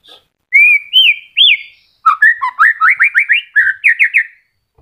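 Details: Caged moulting white-rumped shama with new feathers coming in, singing cleanly over a quiet background. Smooth wavering whistles and arched notes are followed by a rapid, even run of short rising whistles.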